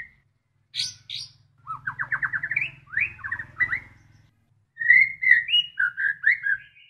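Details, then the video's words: Murai batu delivering isian phrases: two sharp high notes, rising rattling trills, then lower warbled whistles rolling up and down, with a steady low hum behind. "Full Isian Murai Batu"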